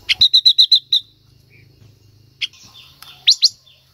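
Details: Female silver-eared mesia singing to stir a male: opens with a rapid burst of seven sharp, evenly spaced notes, then quiet hum, a lone chip and soft warbling with two loud rising chips.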